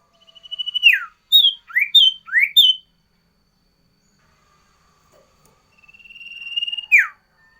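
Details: Sooty-headed bulbul, a loud and very active singer, giving a variation song: a rising series of ticks into sharp downslurred whistles, four quick notes, then after a silence a long buzzy trill ending in a falling whistle.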